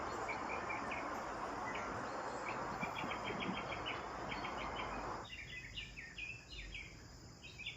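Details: Sparrows chirping during their bath: rapid, evenly repeated short chirps over loud broadband rushing noise, which cuts out midway, leaving clearer chirps in quick bursts.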